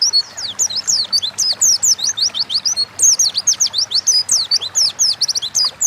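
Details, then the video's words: Oriental white-eye, a pet pleci delivering nonstop 'ngalas' song used as a lure so birds sing quickly: continuous rapid chain of very high, bright, down-slurred whistle notes with barely any gaps. "Burung pleci gacor ngalas pancingan bahan agar cepat bunyi"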